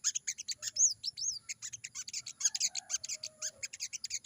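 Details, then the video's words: Crimson sunbird, wild 'ngalas' song used to prompt newly caught birds to answer. Quick, high chattering notes are broken by a few arched whistled slurs near the start. A faint low hum runs underneath. "burung sogon gacor banget!!bunyi sogon ngalas,bikin sogon bahan nyaut"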